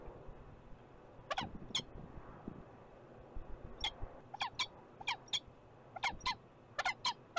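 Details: Peregrine falcon in Montreal, Canada, giving harsh, rasping notes in short clustered bursts, often paired, a few per second, over a low hum of city traffic.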